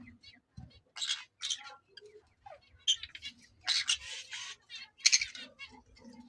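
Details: A pineapple Green-cheeked conure, one of a breeder's pair, gives harsh, raspy screeches in short bursts about every second, with a man talking softly between them.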